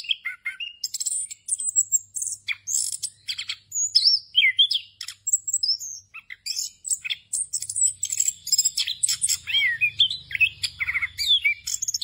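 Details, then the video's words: Extended ngerol song by an orange-headed thrush, full of filler phrases and used to train other birds. Rapid twitters, looping whistled slurs and harsh chatter follow each other without a break, with a faint low hum in places. "ANIS KEMBANG NGEROL FULL ISIAN EFEKTIF UNTUK MASTERAN ANIS KEMBANG BAHAN AGAR CEPAT GACOR"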